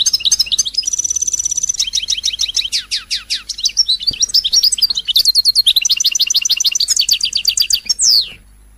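A European goldfinch sings a fast, unbroken stream of high, liquid twitters, rapid trills and buzzy notes, ending in a sharp descending sweep.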